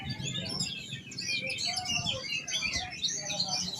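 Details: Dense, varied warbling of an oriental magpie-robin: rapid chirps, twitters and whistled notes tumbling over one another without pause, over faint low hum.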